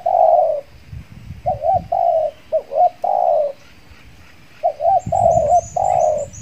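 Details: Spotted dove decoy luring wild birds in Riau Islands; long coo, a pause, then hooked and level coos in two phrases, with high chirps from other small birds near the end and some low rustling.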